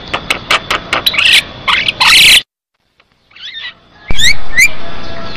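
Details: Javan myna singing energetically, used as a lure to prompt other mynas to sing and as a tutor recording: a run of harsh, rasping notes and squawks, a short silent break, then sharp rising whistled notes over steady hiss.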